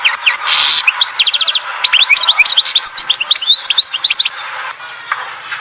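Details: European goldfinch song recorded at Oued Zhour, Skikda: a fast, liquid stream of tinkling chirps, quick rising slurs and rattled trills for about four seconds before fading to quieter background.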